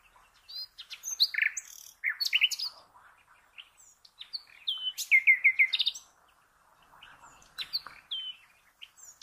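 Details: Common nightingale song, offered for training cage birds: varied high phrases of sharp chirps and whistles, then a fast run of repeated descending notes in the middle, with pauses between bursts and a quieter phrase near the end.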